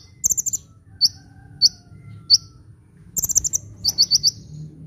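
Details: Sunbird singing busily, played to lure birds or prompt lazy singers: a tinkling high burst, then single sharp chirps spaced about half a second apart, followed by rapid groups of four piercing notes, with faint low rumble.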